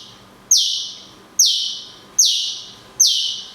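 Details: Cungkok in 'tembakan kunti panjang' style for songbird training: four loud, sharp notes, each dropping quickly in pitch then held and fading, repeated about every 0.8 seconds over a faint steady hum.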